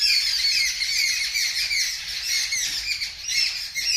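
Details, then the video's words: A crowd of birds screaming loudly at a kitten that is making a strange noise on seeing them. Continuous dense, shrill squawking and chattering, many voices overlapping without pause. "The Birds Are Screaming Loudly"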